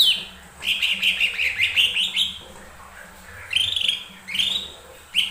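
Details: Lesser green leafbird song for coaxing other birds to sing: a long, pulsing warble of repeated high whistled notes, followed after a pause by two upward-swept phrases and a final short note.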